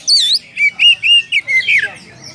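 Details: Oriental magpie-robin calling out to a rival, a short run of clear whistles: a high falling note, then several even mid-pitched whistles and a final slurred downward phrase.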